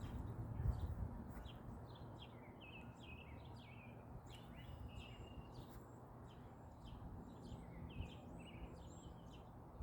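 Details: American robins singing short, clear whistled phrases in the distance in a blooming backyard orchard, metro Detroit, late April afternoon after rain, cardinals also present, over a heavy low rumble of wind or handling noise.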